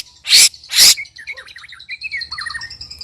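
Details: White-rumped shama during a three-bird sparring bout: two loud rasping bursts, then soft twittering notes and descending whistled slurs over a faint steady high tone.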